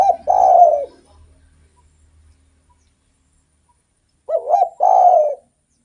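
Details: An actively singing spotted dove, used to lure other doves: a long rolling coo, a quiet gap with faint low rumble, then a double coo and a drawn-out purring coo.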